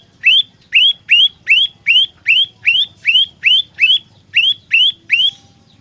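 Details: Upslurred, emphatic whistles from an olive-backed tailorbird used for luring and fighting, repeated quickly in an even chain of around thirteen notes.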